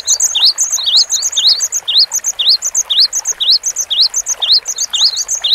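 Cinereous tit singing a fast, bright stream of high, rising whistled notes, repeated about twice a second, with overlapping chirps from other small birds.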